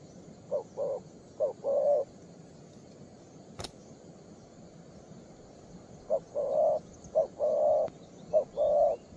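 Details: Spirited young spotted dove, 'two-strand' pearl-neck type, cooing at its perch. The low, rounded phrases come in pairs, short notes leading into drawn-out coos, with one bunch early and another after a pause. A single click is heard.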